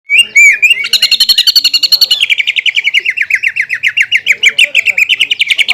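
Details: Champion-class greater green leafbird (cucak ijo) singing as a tutor bird, fighter style with rich fill and harsh rapid bursts: a high twisting opening, then a fast train of sharp, regularly repeated chipping notes falling slightly in pitch.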